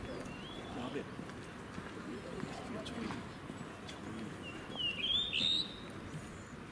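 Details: A Blue rock thrush (Monticola solitarius) at Shuri Castle on 16 May 2019 gives short, clear whistled phrases, one faint early and a brighter, warbling one near the end, over a steady murmur of people talking.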